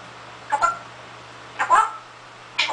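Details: Pet parrot that has learned to imitate a cough: three short, harsh, breathy hacking bursts about a second apart, the first two doubled, over a steady low electrical hum in a quiet room.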